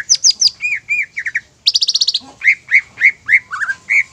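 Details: Greater green leafbird song used as a lure to provoke other leafbirds into singing: rapid varied whistled and chattering phrases, high downslurred notes, a fast buzzy trill near the middle, then evenly spaced clear whistled notes.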